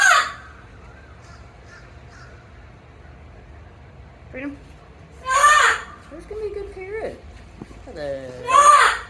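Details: Pet parrot in Oviedo, Florida, pitching a fit over a Pekin duck mating with a Muscovy duck in a lake: loud, harsh, broadband screams burst out at the start, middle and end, while a man keeps talking and greeting the bird.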